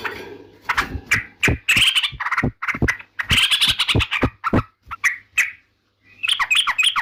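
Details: Yellow-vented bulbul giving a long run of jumbled, chattering and bubbly notes with clicks, ending after a brief pause in a quick warbled phrase.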